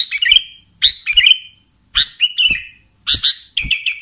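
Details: Lure recording of a sooty-headed bulbul for catching bulbuls: loud, clipped chirp phrases in small clusters with brief silences between, each ending in a short sliding note.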